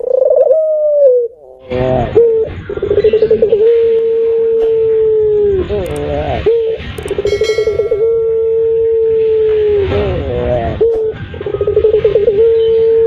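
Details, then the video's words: Puter pelung turtle dove used for luring birds: long, deep, steady hooting coos, each drawn out for several seconds with short rolling breaks between, loud and close, with slight background noise. "Suara PUTER PELUNG untuk ( pancingan )"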